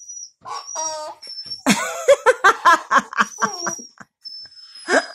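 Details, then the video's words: A pet cockatoo says a nasal, two-part "uh-oh" imitating speech, linked to pooping, followed by rhythmic laughter and a faint high whistle. "Cockatoo's Uh-oh"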